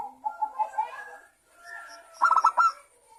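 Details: Zebra dove song used as a lure to set other zebra doves singing: a string of soft, wavering coos, a short pause, then a loud quick rattle of staccato notes, followed by fading coos.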